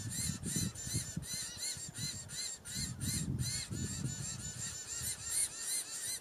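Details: Diamond firetails in Victoria, Australia, in November 2015 give a steady run of short, nasal, arching notes, about three per second, over a low rumble of wind or distant noise.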